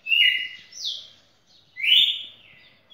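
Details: Red-cowled cardinal, a champion singer, in a record-breaking song of over two minutes: a bright falling whistle, then a higher sliding note and a long rising, slurred whistle after a brief pause.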